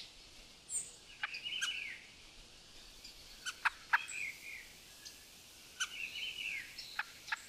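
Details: Rufous-bellied thrush in Brazil, eating from a bird feeder, sings short, fluty, warbled phrases in mid pitch, spaced about a second apart, with a few sharp clicks between them.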